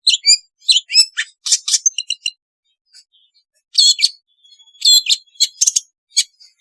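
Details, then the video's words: Long-tailed shrike song aimed at rousing a silent shrike: a burst of mixed chirps and whistles, a short lull, then more scratchy chatter with a long thin sustained whistle. "suara asli cendet untuk terapi cendet malas bunyi agar gacor"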